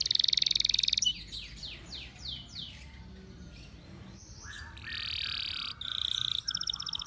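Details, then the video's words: Canary in heightened breeding condition delivering a varied song: dense high buzzing trill, a series of descending slurred whistles, a quieter passage, then loud fast rolling trills and chirps. "bird song | canary over birahi like this"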